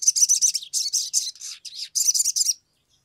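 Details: Agitated Sumatran leafbird singing, a lure to make other leafbirds sing quickly: loud rapid bursts of very high, scratchy, chattering notes in three tight runs, then silence.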